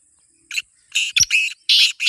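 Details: Black francolin giving rasping, broadband call notes. A short lead note is followed by a run of longer scratchy bursts, with a sharp click in the middle and a faint high hiss in the background.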